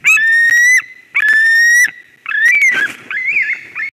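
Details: White-tailed eagle (Haliaeetus albicilla) at a nest in Durbe, Latvia, 13 August 2023, as a strange ringed eagle flies in: loud, high, drawn-out buzzy whistled calls, three long notes then a wavering squeal over four seconds.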